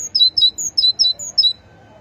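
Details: Great tit song, a run of six clear high paired notes, each phrase stepping down from a bright top note, delivered quickly and then stopping, with a quiet low rumble beneath.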